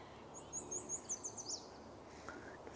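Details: Male Yellow Warbler singing all morning at a marsh in early morning, giving one quick, very high song of about a dozen bright, sweet notes that speed up over just over a second, over a quiet background.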